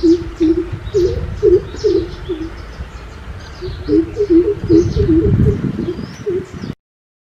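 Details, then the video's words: Greater coucal giving deep, hollow booming notes in two quick runs of about two or three per second, with faint high chirps of other birds and a low background rumble. "Greater coucal sound"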